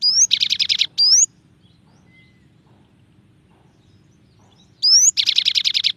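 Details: Cinereous tit song with a varied pattern: a rising whistled slur leading into a fast, harsh rattling trill, heard at the start and again after a pause of about three and a half seconds, with soft background hum.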